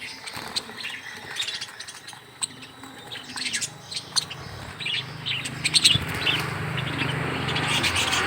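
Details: Many budgerigars kept in a small aviary, chirping while being hand fed: scattered short high tweets and squeaks from several birds, irregular and overlapping, over a steady low hum and background rustling.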